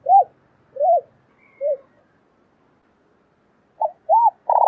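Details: A male and female pair of spotted doves in a recording meant to excite wild doves: short arched coos, three spaced notes, a pause, then two more and a sudden harsh burst.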